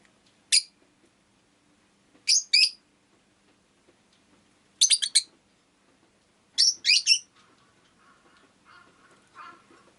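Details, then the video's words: Piercing chirps of a rosy-faced lovebird come singly, in pairs and in triplets, roughly every two seconds, followed by soft low city noise at the end. "Lovebird Chirping Sounds"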